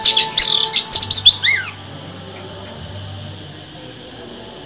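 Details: A female Oriental magpie-robin sings to stimulate males, giving a quick burst of harsh, scratchy high notes ending in a slurred downward whistle; two fainter, rasping phrases follow after a pause.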